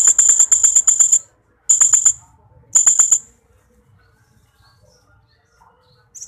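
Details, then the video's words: Blue-crowned hanging parrot (srindit) training recording for pet birds: piercing high-pitched notes in fast rattling runs, a long series followed by two shorter bursts, then near silence. "suara masteran srindit gacor"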